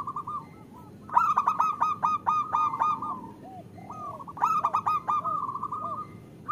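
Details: Female zebra dove calling a male, used to lure males into song: two loud phrases, each a harsh, buzzy rattle of stacked notes followed by a falling run of coos, with quiet gaps between.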